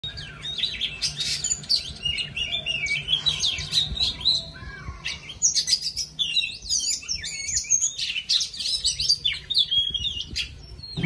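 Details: Oriental magpie-robin singing while dancing: a rich, varied run of clear whistled phrases, warbled notes and quick rising and falling slurs, high-pitched and almost continuous over eleven seconds, with faint low background hum.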